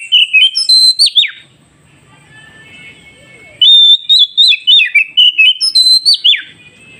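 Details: Song of an oriental magpie-robin, played so freshly caught wild birds answer sooner: a burst of bright stepped whistles, a quiet pause of over two seconds, then another fast series of clear, ringing notes with dropping slurs.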